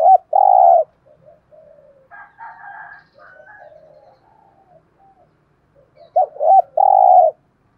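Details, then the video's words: Caged decoy spotted dove of the 'giọng thổ' style, used to draw calls from wild doves. Two full phrases are heard, each with a loud long coo, separated by several seconds of softer, lower murmuring notes. "Chim Cu Mồi, cu gay giong tho cuc dinh"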